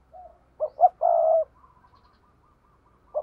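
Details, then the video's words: Paired cooing of a spotted dove: a soft note, then two quick hoots and a long loud coo, trailed by a row of faint repeated short coos from a second bird. "Tiếng cu gáy đôi"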